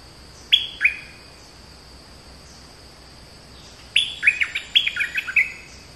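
A flowerpecker gives sharp, high, ticking chips, first a pair, then a quick jumbled burst.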